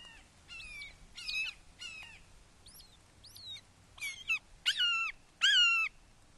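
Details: Red-shouldered hawks at a nest in Wake Forest, 29 May 2023, 08:38, while the father brings a frog to a fledgling: scattered short arched chirps, then three loud descending kee-ah squeals building in strength, against faint low hum.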